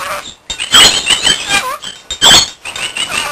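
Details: Pet rainbow lorikeet, described as a lunatic, kept indoors with a bell it treats as its girlfriend; loud harsh screeches in two bursts with softer chattering and warbled notes between them.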